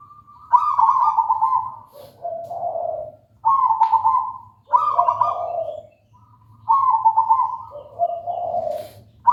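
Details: Local wild zebra dove (perkutut) in lively song, repeated purring coos every second or two, each dropping from a higher to a lower trill, clear and close over a soft low hum.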